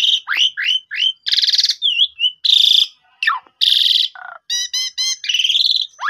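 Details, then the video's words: Loud, varied Asian pied starling song, used to lure a newly bought bird into singing: sweeping whistles, grating buzzy notes, stacked rattling chatter and falling slurs follow one another without a break. "Pancingan 2 Menit jitu !! Jalak Suren Baru Beli Macet Langsung Nyaut Gacor Boangkar Full Isian"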